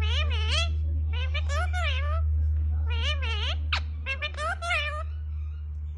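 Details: Female pet parrot speaking her first word, her owner's name: a string of clear, wavering, voice-like syllables in quick bursts, over a steady low electrical hum.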